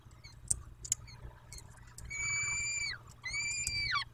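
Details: Two long, level, rich wailing calls from a peregrine falcon at its nest in Dobra, 14-05-21, 14.18, each ending in a sharp downward slide, after a few faint ticks and clicks.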